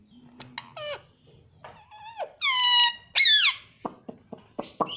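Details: Indoor talking rose-ringed parakeet: sharp clicks, a flat whistled note, a long steady harmonic tone and a loud falling squawk, followed by a few quick clicks.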